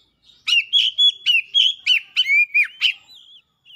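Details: Agitated Oriental magpie-robin in full song, showing off its repertoire: a rapid run of about nine loud, sharp, ringing notes, roughly three per second, with slurred whistles between them and a soft trailing whistle at the end.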